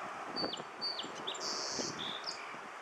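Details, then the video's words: On a windy 12 April 2013 at Aliso Creek Trail near Portola Parkway, California, a Song Sparrow sings its "doo-dee-doo" song: a few clear, high whistled notes, then a dry buzz and quick chips, over low outdoor hiss. "Song Sparrow "doo-dee-doo" song"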